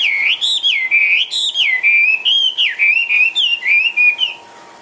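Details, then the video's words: Chinese hwamei, a caged bird hopping and dancing about, sings loud clear whistled phrases that slide up and down with rich overtones, given in quick bursts for about four seconds before stopping. "HM 366 ngũ trường xòe siêu mỏ tung tăng nhảy múa"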